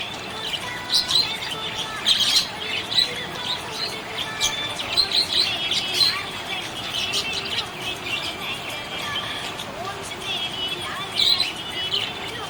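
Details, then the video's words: Budgerigar, stated to be happy, keeps up a long run of high twittering chirps and buzzy clicks, busiest early and again near the end, with brief quieter stretches between. "Happy budgie chirping sound"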